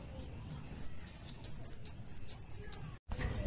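A sunbird sings a quick run of thin, very high slurred whistles, mostly falling, about four notes a second, with a faint rustle after.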